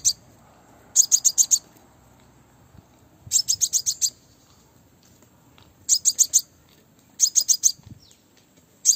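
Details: Female Crimson sunbird calling as a lure to provoke males for bird trapping: bursts of four to six sharp, very high chirps in quick succession, repeated every two to three seconds over a faint low hum.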